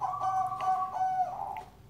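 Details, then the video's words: A zebra dove (perkutut) singing in the background of a maths lesson: a soft, rolling, trilled coo at an even mid pitch with brief breaks, nothing else heard. "Maaf ya, ditemani burung perkutut yang sedang berkicau."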